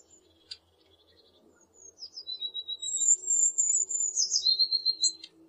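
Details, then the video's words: Blue tit delivering its song after quiet opening chips: sharp high notes lead into a shimmering, very high series that falls into a rapid, slightly lower trill, over a soft low background hum. "The sound of a Bluetit"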